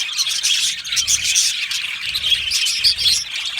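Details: Chirping and singing budgies in a colony aviary, loud overlapping tweets and warbles with several clear whistled notes near the end, over faint low rumbling bursts.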